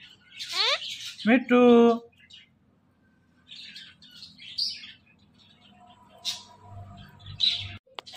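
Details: Pet parrot, female, talking while playing with her best friend: a quick chirp, then a loud, buzzy, voiced phrase lasting about a second, followed by sparse faint chirps and quiet gaps.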